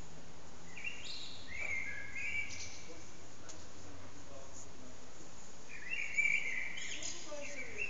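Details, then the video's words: Common blackbird in an echoing backyard, phone recording: short fluty phrases with high squeaky flourishes at the start and again near six seconds, with a quiet gap between, all over a steady noisy background. "Amsel heute in besonders laut ;-)"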